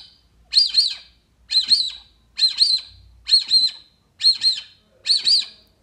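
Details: Six crisp double whistles from a Brazilian teal, about one per second, each made of two arched high notes. Used as a playback call to attract the duck.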